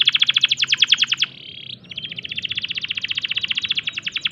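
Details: Canary in breeding condition singing a fast rattling trill, then a brief steady hum-like whistle, followed by a long, slightly slower buzzy trill of evenly repeated notes.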